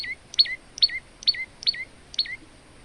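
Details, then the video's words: A male olive-backed tailorbird sings loud, piercing phrases about twice a second, each a high sharp note falling to a lower whistled one, with nothing else heard. "burung prenjak lumut gacor untuk masteran"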